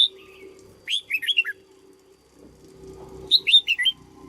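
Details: Red-whiskered bulbul, a cage bird trained as a decoy, repeats a bright warbled phrase twice about two and a half seconds apart, each five or six looping whistled notes, over a faint hum and light rustle.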